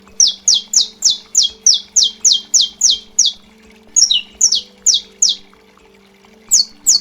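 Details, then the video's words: Saffron finch singing a forceful 'estalo' (snapping) style song used to warm up and train birds for singing contests: a rapid series of loud, sharp, high notes sliding downward, about ten in a row, a brief pause, then more bursts, with a faint steady hum behind. "CANÁRIO DA TERRA – CANTO ESTALO FORTE"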